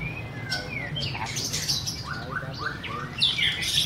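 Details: Song of a white-rumped shama, a mix of clear whistles and sharp chirps, some slurred downward, ending in a loud bright burst; low background hum throughout.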